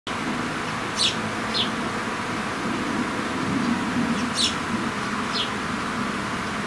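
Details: A mother sparrow feeding her well-grown chicks: four short, high chirps, spaced unevenly over six seconds, come through steady traffic rumble and hiss.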